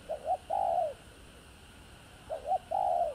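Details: Spotted dove cooing to stir other doves, heard slightly distant over a steady hiss: two phrases, each a quick double note followed by a drawn-out, level, then falling coo.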